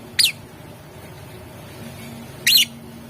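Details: Lovebird heard in a recording meant to make rival birds answer at once, gacor, ngetik, ngekek style: two brief, bright, downward chirps about two seconds apart, with a faint steady low hum between them.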